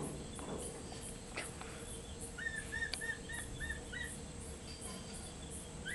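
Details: A former-pet Black-and-white hawk-eagle at feeding time, being fed mice at Ecoparque Panama near Panama City, gives a run of short, upslurred whistles, about six in three seconds, over steady insect hum.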